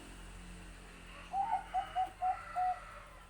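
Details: Bangkok-type zebra dove singing: a soft run of five short cooing notes, evenly spaced about a quarter second apart, the last slightly longer, over a steady background hiss.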